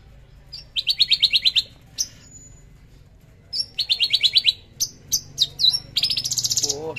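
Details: Javan bush lark delivering trotol song with fierce shots: a rapid run of about eight ringing high chirps, a pause, another run, then sharp whistled upslurs and a dense buzzy trill, with low hum behind.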